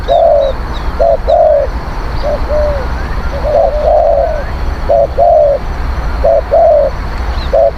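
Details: Spotted dove used as a decoy to lure wild birds, a strong, fierce cooer, giving mellow low coos in short and drawn-out phrases repeated steadily with brief gaps, over a constant low rumble and faint high chirps.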